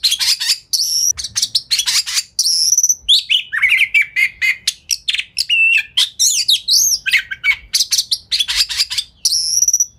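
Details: Oriental magpie-robin singing rapidly as a lure to get rival magpie-robins to respond: high piercing chips and stuttered bursts mixed with lower whistled slurs and warbles, packed tightly in a continuous energetic flow.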